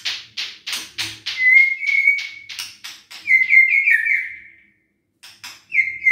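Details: White-rumped shama song played to rouse lazy, quiet shamas: a run of short sharp chips, then long high steady whistles with a quavering warble, a pause, and a final whistle.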